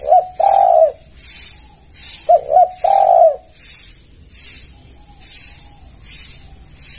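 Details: Low coos of a spotted dove calling to lure other doves. Two phrases, each made of brief paired notes and a long sustained coo, backed by a rhythmic high hissing noise.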